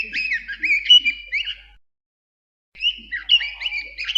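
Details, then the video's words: A bird sings rapid, warbling whistled phrases of rising and falling notes in two bursts split by a second of silence, with no other sounds. "Birds chirping sound"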